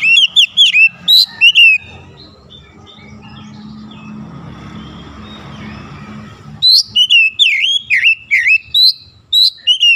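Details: In morning sunlight, an oriental magpie-robin delivers rapid whistled phrases of swooping, slurred notes. A long middle pause is filled with a low hum and distant noise before the bird resumes a fast run of notes.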